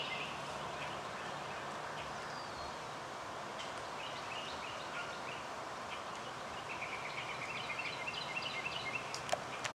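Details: A male Indigo Bunting sings a rapid series of high, sweet notes, many in pairs, over steady background hiss, by a woodland track at Cape May meadows, New Jersey, USA.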